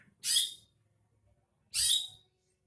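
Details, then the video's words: Two short, scratchy, hissing notes of a greater green leafbird, given about one and a half seconds apart as a lure to coax a bird into singing, with quiet low background hum. "pancingan cucak hijau agar mau bunyi"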